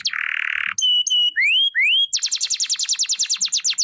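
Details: Canary song beginning with a coarse buzzy rasp, then clear whistled notes and rising slurs, followed by a rapid run of bright descending notes repeated about six per second.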